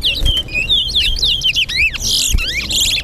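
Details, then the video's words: Caged chestnut-bellied seed finch (towa towa) singing at a competition in Guyana: a rapid run of clear whistled notes, each sliding and warbled, with chirps strung together and a faint low rumble beneath. "TOWA TOWA BIRD COMPETITION"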